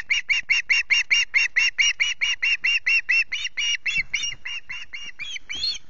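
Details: Osprey chick at Loch Garten, hungry and screeching in the early morning on 14 August: a long steady run of clipped, shrill notes, roughly two per second, loosening and growing rougher toward the end.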